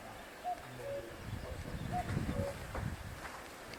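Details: A distant common cuckoo in Britain, summer 2024, gives two soft, falling 'cu-coo' calls about a second and a half apart, over a low rumble of wind and outdoor noise.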